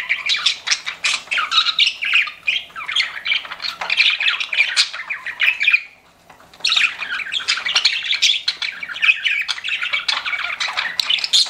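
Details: Pet budgerigars chirping energetically, a continuous rush of scratchy warbles and sharp chirps, interrupted by one short pause of about half a second before the chatter resumes.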